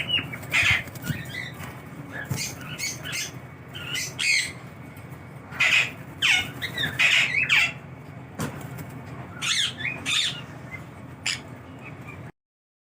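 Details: A pet sun conure gives loud, harsh squawks in short repeated bursts.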